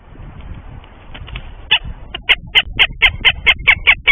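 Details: Northern goshawk in Tartu, Estonia, giving a rapid series of harsh, loud kek notes, about eleven in under three seconds and evenly spaced, after a quieter stretch of faint background rustling.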